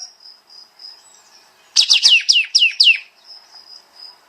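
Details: Pied Triller (kapas tembak), recorded as a master track for training songbirds, in a dense rapid 'nembak' style: a burst of six bright, high, downslurred notes repeated about four per second, between soft faint high whistles.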